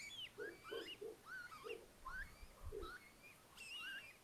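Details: Nest in a house attic at Tiszalök, Hungary, near Hortobágy National Park: Little owls with four newly hatched owlets in early May, giving quick, twisting, whistled calls and soft, low, muffled notes.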